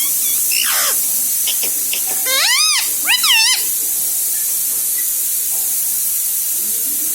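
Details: Talking pet parrot, said to say mummy, papa, mithu and radhe radhe; faint squeaks first, then two loud, wavering, speech-like phrases, amid continuous hiss.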